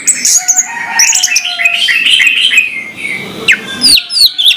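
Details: Dense, continuous warbling and chattering song from an orange-headed thrush in the morning, high twittering notes mixed with whistles, ending in sharp downslurred chirps.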